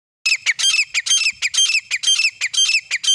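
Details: Partridge pair used as a hunting sound, described as grey francolin: harsh, squawking notes repeated about twice per second, each a bright stacked burst with a clear ringing tone, loud and close throughout.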